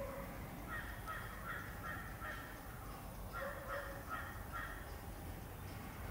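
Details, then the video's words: Common hawk-cuckoo, also called brain-fever bird, gives shrill, repeated pi-peeah calls in two quick series of about two or three a second over a steady low rumble; this species usually sings in pairs. Finding: Common hawk-cuckoo. "Common Hawk-Cuckoo calling...pi-peeah...pi-peeah...pi-peeah..."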